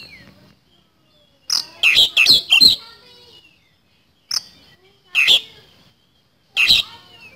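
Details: An Oriental magpie-robin (kacer) delivering 'nembak speed roll' song: a fast run of four harsh chattering notes, then three single sharp notes spaced more than a second apart, in quiet surroundings.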